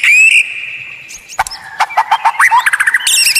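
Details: White-rumped shama masteran song, billed as unique and rare: a sustained clear whistle, then clicks and a stuttering string of short varied notes ending in high rapid chirps.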